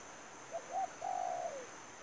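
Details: A single phrase from a spotted dove serving as a decoy for trapping: two brief soft coos followed by a longer, buzzy, wavering coo that sags downward, over steady high-pitched hiss.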